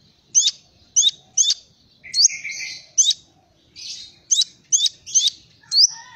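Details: Kolibri Ninja song in the Cililin-filled style: a series of loud, high, slurred chirps about half a second apart. Short buzzy lower notes are interspersed, and the background is quiet.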